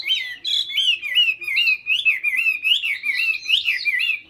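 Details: Continuous warbling from a Hwamei in Hà Nội, Vietnam: rich, looping whistled phrases that rise and fall without pause, clear and loud throughout.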